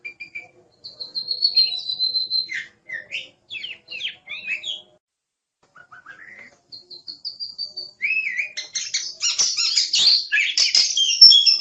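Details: Oriental magpie-robin singing steady whistled notes and short slurred phrases, then a faster, denser burst of high chattering that grows louder at the end.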